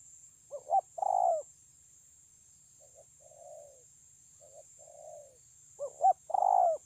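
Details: Spotted dove cooing, 9 June 2020: a loud phrase of a short double note and a drawn-out rolling coo, then two faint, distant-sounding coo phrases, and another loud phrase at the end, over a constant high thin hiss.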